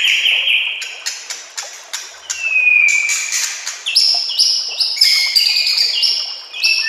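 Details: White-rumped shama song in a recording of masteran training sounds with nature ambience and trickling water: long pure whistled notes, sharp clicks and bright high chips, then a run of overlapping ringing whistles at varied pitches.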